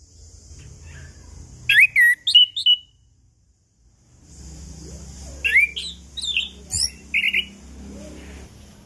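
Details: Chestnut-capped thrush singing as a lure for birds that have gone silent, two short bursts of whistled, slurred notes and rough chatter separated by a pause, over a faint steady hum and low rumble.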